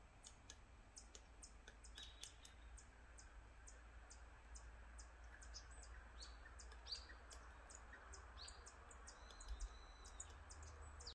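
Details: Great spotted woodpecker in a spring forest, 11 March 2023 at 17:28, giving sharp, high ticking calls, several a second and fairly even, over a low steady rumble with faint whistles from other birds.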